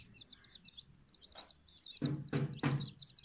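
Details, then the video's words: Silkie and Golden Sebright chicks giving bursts of high, thin peeps in quick runs, paused briefly, with three loud low thumps or knocks near the end. "Silkie Chicks and Golden Sebright Chicks"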